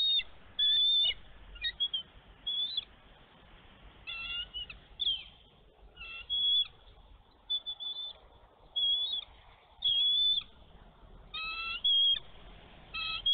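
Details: Bald eagle mother on her nest in Minnesota in snowy weather, 11 March 2023, guarding her egg from an intruding young eagle. Sharp, thin whistled chirps come in scattered clusters and short stuttering runs over a low background hiss.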